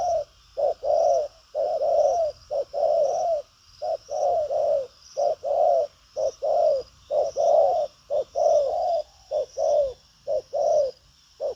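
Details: Spotted dove with a bustling temperament and a hard, forceful coo in the 'thúc gù có lèo' style: a long run of mellow low hoots, short pick-up notes leading into longer throaty coos, repeated without pause over a thin high-pitched hum.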